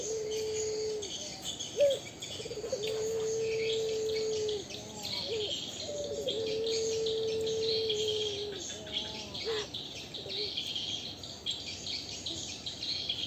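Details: A Barbary dove of the puter pelung type gives long, level, low hoots, each held about two seconds with short rising breaks between them. A steady hiss of insects runs underneath.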